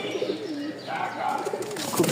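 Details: Giribaz flying pigeons from Rajshahi, top-collar birds offered for sale along with young, give low, wavering coos that rise and fall in a rolling pattern, with faint voices and room noise behind.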